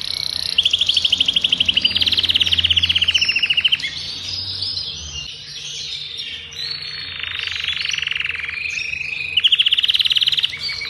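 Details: Adult male Belgian canary of the Agatha breed, intense yellow, sings to warm up a female for breeding and to train young: loud, rapid, bright, high trilled phrases in long rolling runs with a short pause midway, over a faint low hum.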